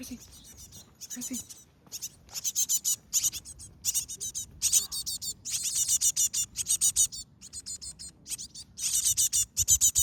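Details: Cinereous tit (Parus cinereus) nestlings begging: high, thin, rapid chittering in repeated bursts about every half second, with faint low rumbling behind.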